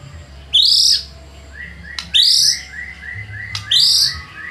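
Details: White-rumped shama lure song aimed at provoking rivals: three loud, high, rising whistles about every one and a half seconds, with softer short repeated notes between them.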